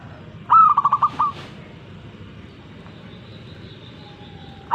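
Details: Zebra dove phrase near the start: rising coo, quick stuttering series of short notes and a closing coo, then quiet background with faint distant sounds.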